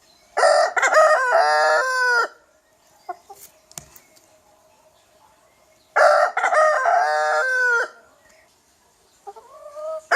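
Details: A young rooster crows twice about five seconds apart, each crow a rough, multi-part cock-a-doodle-doo under two seconds long, with a shorter, softer call starting at the end.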